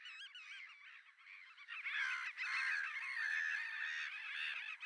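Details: Mating Black-tailed godwits at Poelgeest, the Netherlands, 29 March 2024: wavy nasal calls at first, then from about two seconds a louder, harsher stretch of overlapping calls from several birds continuing to the end.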